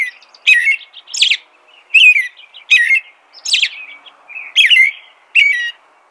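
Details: Eight quick warbled phrases from an American robin, rising and dropping whistles interspersed with sharp high squeaks, sung at an even pace of a little over one per second.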